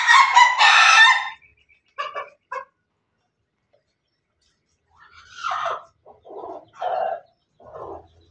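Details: Pelung Bangkok chicken recorded on 17 May 2024 giving a laughing-style crow: a loud, harsh, broadband burst lasting over a second, followed by short spaced clucks and a few lower, hoarse notes.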